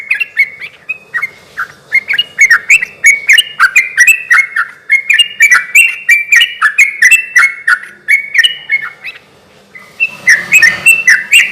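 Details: Sooty-headed bulbul singing hard, used to coax silent bulbuls into replying. A long run of quick, bubbly chirps, a brief louder noisy rustle near the end, then the chirping continues.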